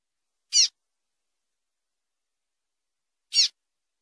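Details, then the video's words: Calls of a female double-collared seedeater, used to excite males into singing for contests: two isolated, sharp, high downslurred chips nearly three seconds apart, with silence between. "PIADOS MACHEADOS FÊMEA DE COLEIRO ESQUENTA RÁPIDO ÁUDIO Excelente Para APRONTAR COLEIRO PAPA CAPIM"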